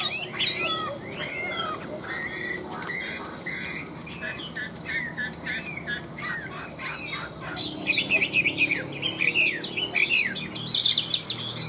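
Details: Chinese hwamei kept in a hanging cage, singing in the ngũ trường style, pitched high: an opening burst of whistles, then a steady chain of short warbled notes and a loud rapid trilling flourish near the end.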